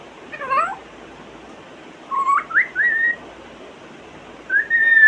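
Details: Pet African grey parrot imitating sounds from its repertoire of 23: a short falling-then-rising whistled flourish, then a run of quick upslurred whistles, ending with a long, steady, level whistle, in a quiet room.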